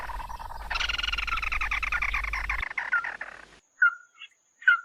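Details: Red-eyed bird calling its flock, used to lure birds: dense, harsh pulsed chattering over a low humming background, then a few separate whistled notes after a sudden cut to quiet.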